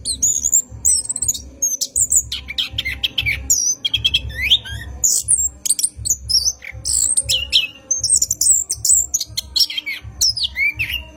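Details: An orange-headed thrush's long, rolling night song, recorded as a lure for training cage birds. Varied whistles, trills and down-swept notes follow one another almost without pause, with regular soft low thumps.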